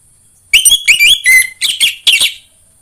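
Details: Orange-headed thrush song used as a lure to get kept birds singing: loud, varied whistled phrases with sliding, ringing notes and buzzy bursts across about two seconds, over a faint steady high-pitched hum.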